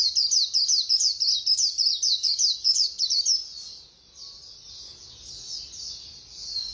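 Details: A quick-beaked white-eye pours out a fast run of sharp, high, downslurred notes for about three seconds, then drops to a soft, continuous high warble.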